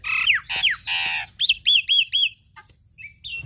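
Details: Javan myna in full, lively song, used as a tutor and lure for training songbirds: harsh buzzy notes, then a row of clear whistled notes sliding down, ending in short chips and a rising whistle.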